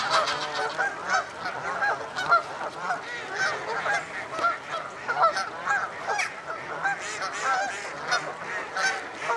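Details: Many common starlings preparing to roost at Slimbridge Wildfowl Trust in Gloucestershire, UK, making a continuous busy chatter of crackling, clicking and whistled notes, with sharper squeals standing out every second or so.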